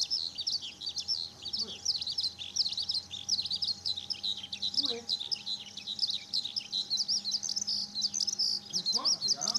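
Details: Long stretch of Eurasian skylark song from Okayama Airport's fourth parking lot, Japan, sunny 5 June 2013, Lumix DMC-FZ150: dense, high, ceaseless chirping and trilling over a steady faint hum, with occasional low brief sounds.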